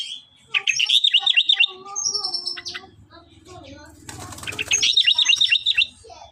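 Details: Sooty-headed bulbul in lively, chatty song: two bursts of rapid chirping notes, each lasting about a second, separated by softer calls, a rustling flutter and low background noise.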